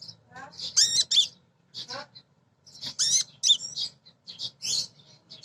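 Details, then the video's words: Female sunbird singing to lure and excite untrained birds: squeaky, buzzy high twitters and rising-falling notes strung in short phrases, with faint low background hum. "Kolibri Ninja BETINA Ngriwik Nyrecet Nembak Pancingan Paling Jitu Burung Bahan"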